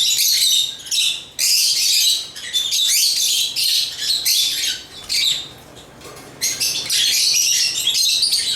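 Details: African lovebirds chirping and singing: dense, harsh, high-pitched chatter in long bursts, with brief quieter gaps near the second and fourth seconds, then continuous again.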